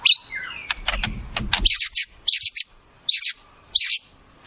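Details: White-rumped shama singing imitations of wild birds: rough, scratchy note clusters repeated roughly every half second to second, preceded by a burst of clicks over faint background noise.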